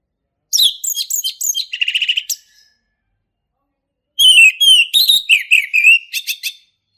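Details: Male orange-headed thrush in the forest, ngeplong style: a chattering phrase with a buzzy rattle, a pause of about two seconds, then a rich, fast mix of whistles and twitters.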